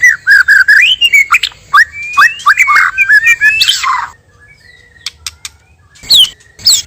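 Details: Lure song of a male and female white-rumped shama for trapping: a flowing string of rising and falling whistles with harsh rasps, fading to quiet, then sharp high notes at the end.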